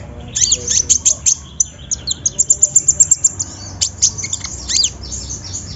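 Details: Olive-backed sunbird singing as a lure to provoke a reluctant bird. Irregular high chirps and sweeping notes lead into a quick run of eight piercing ticking notes, then further scattered thin chirps.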